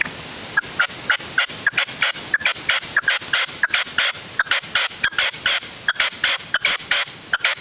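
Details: Red-legged partridge decoy bird used in hunting, at an afternoon stand in the uplands of Huelva, Spain, on 25 January 2023, the first outing of the season. Loud, sharp clucking notes come in quick, even bursts, often paired, throughout.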